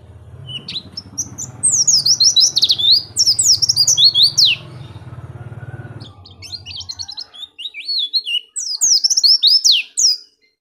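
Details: Oriental white-eye (pleci) giving gacor ngeplong song for tutoring or luring: bursts of high rapid twittering and descending slurs, with a low steady hum underneath for the first seven seconds, then clear song with brief pauses.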